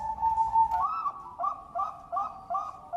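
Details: Bangkok-strain zebra dove singing melodiously, a drawn-out whistled note followed by quick paired coos alternating between two pitches, about three per second.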